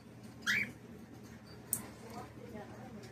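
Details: A cockatiel at a pet store gives one short, rising whistled chirp, then a sharp high click, over a low indoor hum.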